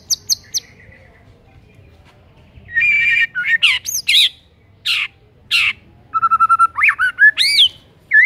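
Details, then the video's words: White-rumped shama song meant to get silent shamas singing: high sharp notes, harsh rasping bursts, then a rapid string of short even notes and looping whistled phrases. "PANCINGAN MURAI BATU GACOR , 100% EFEKTIF UNTUK PIKAT MURAI MACET"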